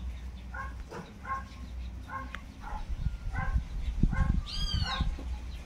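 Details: Young tinamous peeping: brief, harmonically rich notes repeated several times a second, with a higher sweeping chirp near the end and low knocks and rustling underneath.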